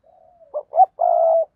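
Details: A decoy spotted dove for luring wild doves begins with a soft drawn-out note, then two short accented notes and a long sustained coo.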